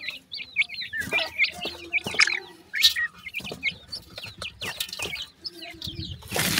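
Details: Baby pheasants feeding on new food: bright downslurred peeps repeat in quick irregular runs, roughly a call each second, with pecking clicks and a rushing noise at the end.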